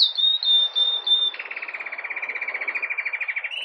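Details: Live recording of a red mosaic agate Belgian canary singing campainha song early in the day: a thin pure whistle followed by a fast, even rattling trill, with some background hiss.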